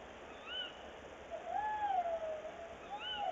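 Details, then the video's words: Tawny owl, male on a branch then female in a nest box, early morning of 22 February 2018; a drawn-out wavering low hoot in the middle, with short higher curved notes before and after, against a constant hiss. "Bosuil, M op de tak en dan V in de kast"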